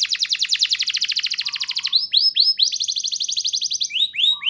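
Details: Canary song used as a lure to prompt young canaries to sing: long fast rattling trills of rising sweeps, then a run of separate upswept whistled notes and a second rapid trill, with a faint low buzz in places.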